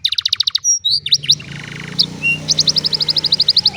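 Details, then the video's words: Old canary in the afternoon delivering rapid even pulses of high chirps, brief whistles and a buzzy rattle, closing with a steady series of bright repeated notes over a low background hum. "Old Canary sings beautifully in the afternoon"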